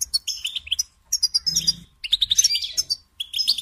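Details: Goldfinch kept as a songbird delivering short bursts of high chirping and a buzzy twittering flourish, with pauses between phrases.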